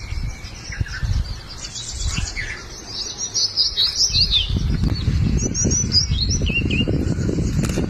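A crested bunting gives thin, high chirps and quick twittering notes in loose bursts, over a heavy low rumble of wind or handling noise.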